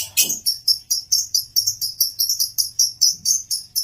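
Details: Male lovebird producing a quick regular series of high, sharp chirps, about four per second, with a brief lower rasp near the start.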